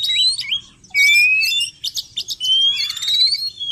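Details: Oriental magpie-robin lure sound aimed at attracting wild birds: short whistled notes, then long gently rising whistles layered with loud dense buzzy chatter.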